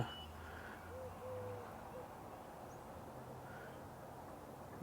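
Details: A Eurasian collared dove in a tree at a marsh on a May 4 morning gives soft, low, hollow coos, faint against a steady background hum, with a person talking quietly nearby.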